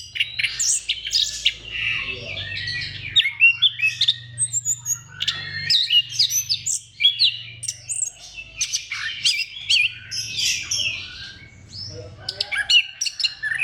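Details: Orange-headed thrush pouring out a dense, continuous song used to trigger singing in other thrushes: rapid varied chirps, whistles and trills packed closely together, over a steady low hum.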